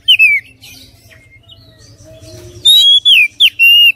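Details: Oriental magpie-robin gives a falling whistle, a quiet stretch with faint low notes, then loud clear whistles and sliding notes in a short run.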